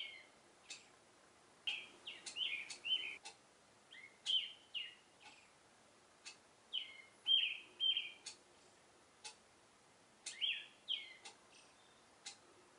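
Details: Oriental reed warbler in a cherry tree in the morning, singing its courtship song: loud, harsh, grating chatters in bursts of a second or two, broken by sharp clicks and short pauses.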